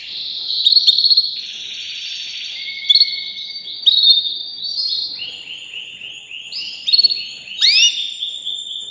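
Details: Canary of the gold medal type in continuous song, sustained high whistled tones overlaid with quick chattering trills and a sudden swooping rise near the end, delivered without pause.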